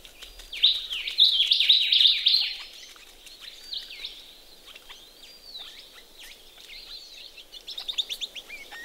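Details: Ring-necked parrots bathing in a pond in Australia, a loud run of quick, rising chattering notes at the start, then scattered softer chirps and a final short burst.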